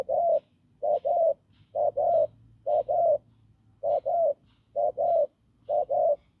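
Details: Spotted dove from the fields giving strong, hoarse coos: evenly spaced pairs of low husky notes, about seven pairs, over a faint low hum and soft clicks.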